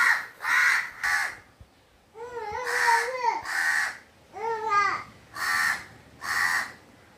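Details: Crow giving harsh cawing calls, several in a row, mixed with rising and falling nasal wavering calls in the middle.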